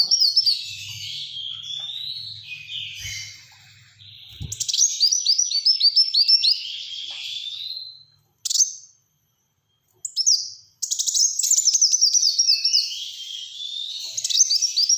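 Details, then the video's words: Long run of Black-throated sunbird song, fast high chirps and slurred whistles packed closely, broken by short silences, with a low hum and a knock at the start. "Burung Kolibri Wulung Gacor Tembakan Rapat untuk Pancingan & Masteran"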